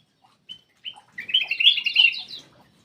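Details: Lure song of a black-crested bulbul for prompting silent birds: two short whistles lead into a dense, bubbling warbled burst lasting about a second.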